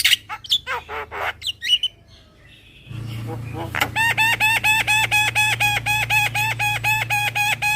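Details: Javan myna lure call, said to be super whiny: a few harsh squawks, a short pause, then a steady run of nasal, whining notes about two per second.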